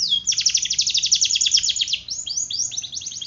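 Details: High-energy canary song used as a lure for birds reluctant to sing. A dense rapid roll of sharp high notes is followed by slower, down-slurred chirps repeated in short series.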